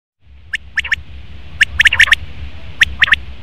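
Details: Male common quail calling: sharp, clipped three-note phrases, each note a quick bright click, with phrases spaced about a second apart over a low rumble of background noise.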